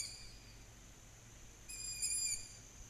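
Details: Young long-eared owl (Asio otus) in July 2020 gives a thin, high squeaky whistle to call its parents to feed it: a faint drawn-out note, then a louder one near the end, over a low background rumble.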